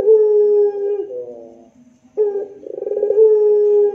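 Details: Rintihan, or moaning, song of a spotted dove (puter pelung), recorded as tutor song: a long mellow held note with a falling ending, a brief pause, then a throbbing roll rising into another sustained coo.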